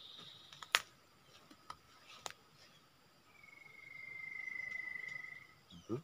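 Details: At its usual nesting place, a spot used for trapping, a Common iora gives a single sustained level whistle lasting over two seconds, swelling and fading, amid scattered clicks, a background insect drone and a brief low thump.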